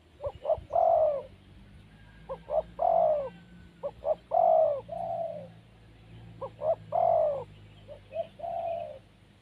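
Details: Spotted dove in the wild cooing four times at uneven intervals; each phrase has paired short notes leading into a long mellow coo, sometimes followed by a softer trailing coo.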